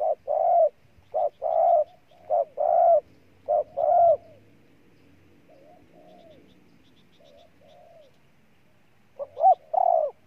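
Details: Cooing spotted dove, Ninh Thuận, Vietnam: several quick phrases of short notes and longer hollow coos, then a pause with soft faint murmurs, before the bird resumes with a closing phrase.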